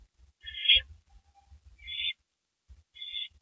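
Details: Two owls on a porch at 2:15 AM, April 18, 2012; three quieter breathy screeches, the first strongest, over a low background rumble.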